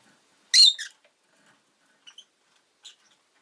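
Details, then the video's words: One loud, rasping chirp from a rosy-faced lovebird, then a few tiny clicky chips trailing after it. "Lovebird Chirping Sounds"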